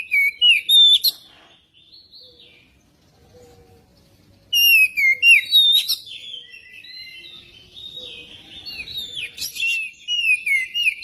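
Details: Oriental magpie-robin song played as a lure to get magpie-robins singing: bright, varied whistled phrases sliding down, a loud burst, a pause, then a long, richer run of fluty notes and rapid trills.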